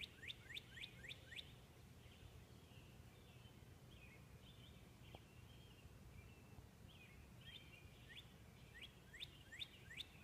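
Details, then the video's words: Pre-dawn blue-hour song of a Northern cardinal from a bedroom window: a fast burst of rising slurred whistles, a quieter stretch of soft wavering phrases, then another rapid series of upslurred notes, with low ambient rumble throughout. "Beautiful sounding Cardinal bird singing in the blue hour"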